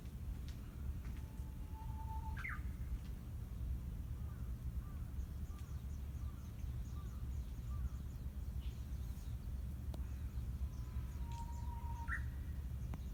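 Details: Japanese bush warbler on Ogijima island, Takamatsu, Kagawa, singing its ho-hokekyo song from a distance: a long, steady low whistle followed by a quick upward flourish, given twice about ten seconds apart over a constant low rumble.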